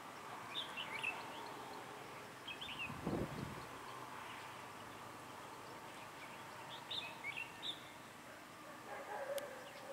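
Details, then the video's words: Red-whiskered bulbul singing at a trapping site, with a lure bird used in competitive singing; short chirpy, warbled phrases come in scattered bursts every second or two over steady background hiss, with one brief low thump midway. "Bẫy chào mào cui lân"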